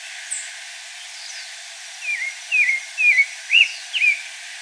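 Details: Wild pale-breasted thrush giving a string of five clear slurred whistles, each dipping then rising, about two per second, growing louder toward the end, with a faint high note at the start and light hiss behind.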